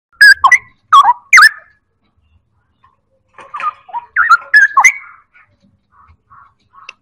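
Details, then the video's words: Straw-headed bulbul singing loud, rich whistled phrases: three bursts of bubbling, warbling notes in the first second and a half, a pause, then a second run of gurgling notes and softer trailing whistles. "Cucak Rowo Ropel Live"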